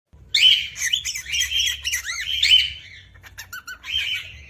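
A cockatiel sings a bright, chattering warble of whistled notes, chirps and quick rising-and-falling slurs.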